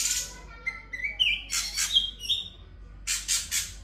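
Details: Sooty-headed bulbul in continuous song with imitated filler: clear whistled notes rising step by step, mixed with bursts of hissing chatter, over a low background hum.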